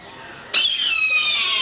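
Red-tailed hawk giving a single harsh, high scream that starts abruptly and trails off slightly downward, holding for over a second.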